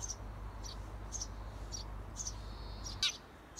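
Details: Eurasian tree sparrow parents prompt nestlings, 17 days after hatching, to leave their nest box: evenly spaced short high chirps about twice a second, a brief buzzy trill, then a louder abrupt note near the end over low hum.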